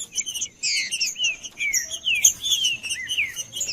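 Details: Green-winged saltator singing to warm up a cold bird: rapid run of loud, clear whistled phrases, many sliding downward, tightly packed with brief gaps, a faint steady high tone underneath.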